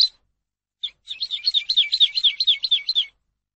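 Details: A Eurasian skylark pours out a fast, high, twittering run of rolling chirps, about fifteen notes in two seconds, with nothing else heard; song used for teaching cage birds.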